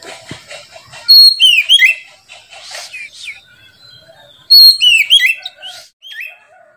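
An Oriental magpie-robin gives two loud bursts of rich, varied whistles and sliding notes, with softer chirps and twitters filling the gaps between.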